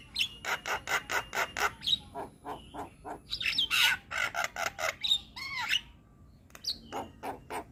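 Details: Javan myna, young bird, in a lively song with many phrases: fast runs of harsh clicking chatter, rasping bursts and a few looping whistled notes.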